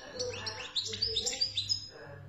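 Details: Short phrase of European goldfinch song recorded in Algeria: a quick series of thin, high, rising tweets and liquid twitters, each lasting a fraction of a second, against a low background hum.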